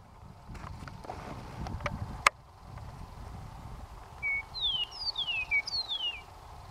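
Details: An Eastern Meadowlark on the open Plains of San Agustin near the Very Large Array, New Mexico, with pronghorn nearby, in July, sings clear, slurred, downward-sliding whistles after a few seconds of low rumble and scattered knocks and clicks.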